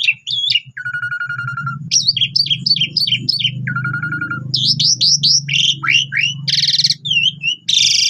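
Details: Asian pied starling lure song, meant to make other birds answer and sing: varied phrases of whistled slurs, a flat whistle held near one second, quick stuttering notes and harsh buzzy bursts, over a steady low hum.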